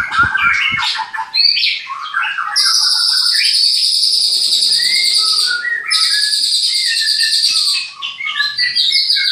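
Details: Captive white-rumped shama at a bird breeding farm in Klaten, singing loudly: a burst of quick varied chirps, then long sustained high ringing whistles, a short break, another long ringing whistle, and closing choppy chirped notes.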